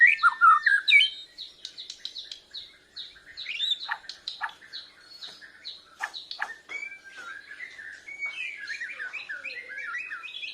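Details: Juvenile Bornean white-rumped shama rehearsing song in answer to a lure, chest feathers spread; rich varied phrases mixing sharp clicks, whistled slurs and quick chirping runs, ending in a bubbling high warble.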